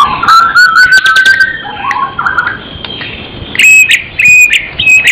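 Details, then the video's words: Murai, a magpie-robin of the genus Copsychus, singing in lively gacor isian style: long clear rising whistles, then sharp ringing notes repeated about every half second with clicking accents. "burung murai gacor isian"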